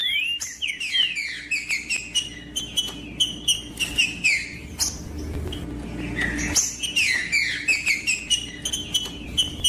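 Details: Green-winged saltator song used to warm up and stimulate other birds: a dense run of whistled, down-slurred notes, repeated in quick bursts over several seconds, with a steady low hum behind.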